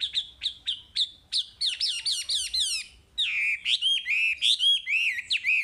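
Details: Chinese hwamei song meant for training caged birds: a series of clipped whistled notes speeding up into descending slurs, followed by rich, rolling warbled phrases with strong harmonics.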